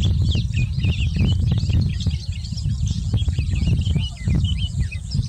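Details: Sykes's (Tawny) lark in India sings a continuous high twittering of quick chirps and trills, partly masked by heavy low wind rumble; Sykes's lark.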